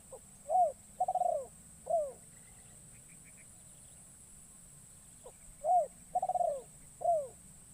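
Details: Spotted dove decoy, recently trained and taken into the forest for the first time, calling to attract wild doves. Two phrases about five seconds apart, each a brief pip, a mellow coo, a trilled middle note and a descending coo, over a low background drone.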